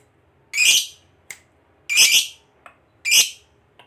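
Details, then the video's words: Fighter lovebird sounds intended to provoke a rival: three loud, harsh, high screeches about 1.3 seconds apart, with soft short clicks between them. "Pancingan Suara Burung Lovebird Fighter Ngekek Pancing EMOSI LAWAN"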